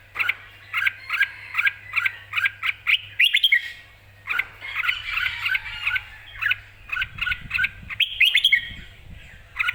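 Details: Excited red-whiskered bulbul singing clearly: bright, chirpy two-part phrases repeated rapidly in bursts, some notes rising into quick warbled flourishes, over a steady low hum that later gives way to soft rustling.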